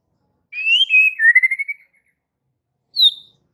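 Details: White-rumped shama singing to provoke fighter males: a clear rising then falling whistled phrase followed by a short warbled run, then one high sharp note after a pause.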